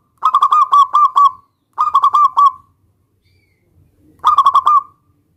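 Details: Zebra dove, a local bird singing steadily to provoke a rival into replying, gives three rolling coo phrases of four to six clipped, mellow notes each, the first two close together, the third after a pause.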